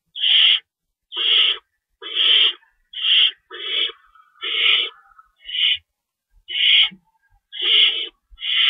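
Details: Night-time feeding at an owl nest, March 25, 2012, as an adult stays in to tear up rabbit for the young. Rough, noisy screeches sound repeatedly, about one per second, with a short quiet gap midway.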